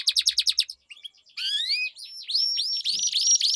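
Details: Canary song used as a lure to get silent canaries singing: a short burst of fast chirps, a brief pause, then long gliding whistled notes and a series of rising slurs.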